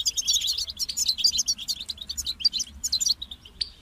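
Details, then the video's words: Goldfinch song from a kept bird: a dense stream of fast, high tinkling twitters and chirps with little pause, slight background hiss. "Highlighting motivating songs for creative goldfinches in simple ways"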